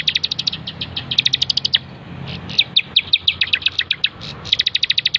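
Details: Bar-winged prinia singing vigorously in a master recording for training birds: rapid bursts of sharp, high ticking notes, about ten per burst, repeated with short pauses between series.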